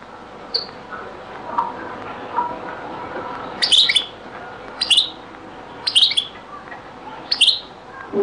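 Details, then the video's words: European goldfinch, from a very old Beni Messous 'les avocats' (zaboka) recording: a few faint early notes, then short, sharp, high twittering chirps spaced about a second apart, over a steady low background hiss. "#تغريد - تسجيلة جد قديمة بني مسوس ليزافوكا | chant beni Messous les avocats zaboka"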